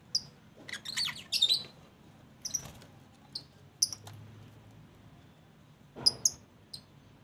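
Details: Lovebirds kept in a small aviary calling with piercing high chirps and brief squeaky bursts in uneven clusters, separated by quiet gaps over a faint low rumble.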